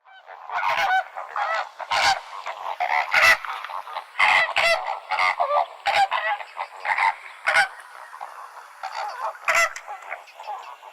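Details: Flamingo calls from a noisy group: overlapping nasal, honking calls, densely mixed with sharp louder blasts about every second or two.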